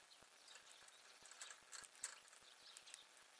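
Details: At a feeder on 6 February 2020, a woodpecker's crisp knocks come in a slightly uneven series, roughly three per second, with soft high chirps and steady background hiss.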